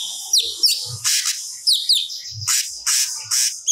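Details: Cucak cungkok singing stored phrases: quick downward-slurred whistles alternating with loud, harsh, hissing bursts in an uneven rhythm.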